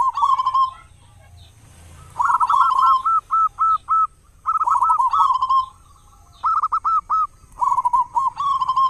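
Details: Big-voiced local zebra dove used as a lure so other doves start singing, morning and evening; repeated phrases mixing a stuttered coo roll with rows of separate, sharply rising notes, spaced by short pauses over faint low rumble.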